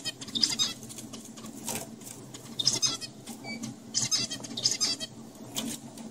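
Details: Adult male zebra finches singing to young males to teach them their song, in a laboratory setting; harsh, nasal broadband bursts come in uneven clusters every second or so over a steady low hum.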